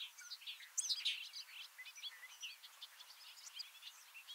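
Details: Male bobolink singing on grassland at Heaven Hill, Lake Placid, New York, in the Adirondacks in May: a lengthy, metallic, bubbling jumble of quick tinkling, squeaky notes jumping rapidly in pitch, continuous throughout.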